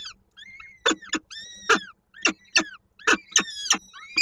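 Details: At a Koszalin, Poland peregrine falcon nest on 13 May 2022, the female feeds chicks with prey just brought in. Loud sharp clicks alternate with short, bowed, whining calls, roughly one every second.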